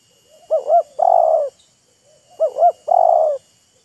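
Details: Spotted dove calling while a wild bird and a decoy trade calls, taunting and luring each other. Two identical phrases about two seconds apart: a quick double coo, then a longer steady coo.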